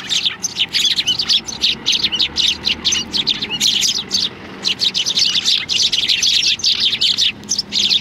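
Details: A flock of sparrows gathering for food at Tenmangu shrine, 16 January 2020, keeps up a dense, unbroken stream of sharp high chirps and tweets, many birds calling over one another.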